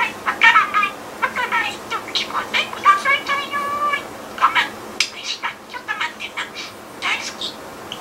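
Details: Pet budgerigar reworking its learned Japanese phrases, including 'Brazilian person' and 'Tokyo Olympics', into invented words; rapid high, voice-like chatter in quick syllable runs, with sharper chirpy notes near the end.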